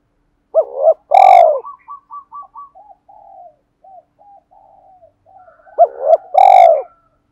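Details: Spotted dove decoy calling to draw wild doves, with two loud phrases of hooked notes running into a deep rolling purr, each with a sharp harsh burst. A string of faint, quick, clipped notes fills the gap.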